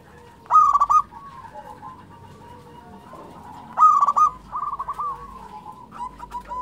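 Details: Zebra dove of local type singing keenly, giving two loud, clipped cooing bursts about three seconds apart, each followed by quieter rolling coos, with a continuous low humming tone throughout.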